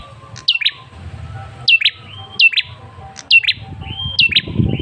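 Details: Lure call of a male ashy tailorbird: paired sharp chirps that drop steeply in pitch, given in a short irregular series over a low background rumble.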